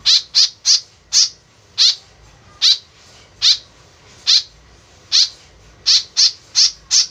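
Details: White-breasted woodswallow, a tame bird, giving the call used as a lure: about fourteen short, harsh, downward-sweeping notes, bunched irregularly and quickening toward the end, over a quiet background.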